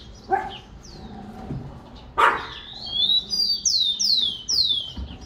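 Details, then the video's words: Tico-tico (rufous-collared sparrow) song beginning after a single sharp dog bark and a few soft notes. It runs as high, clear whistles, then about four loud downslurred whistled notes in quick succession. "Tico tico Zomtrichia capensis"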